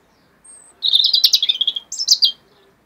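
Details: A European robin, recorded in 2016, sings a brief high phrase: a thin opening whistle, then a rapid run of liquid, tinkling notes and a final bright warble, in an otherwise quiet setting.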